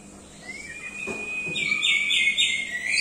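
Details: Orange-headed thrush song opening with a long, steady whistled note, then breaking into a dense, high twittering run that grows louder toward the end.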